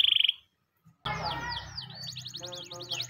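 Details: Champion master canary's morning training song: after a short electronic beep and a pause, swooping whistled notes and quick rolling phrases, over a low steady hum.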